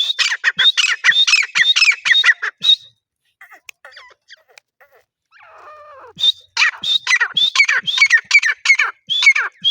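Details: Grey francolin (desi teetar) calling loudly in a fast series of harsh, squeaky, rising notes for nearly three seconds, a quiet pause with faint distant chirps, then another long burst of the same ringing, repeated phrases.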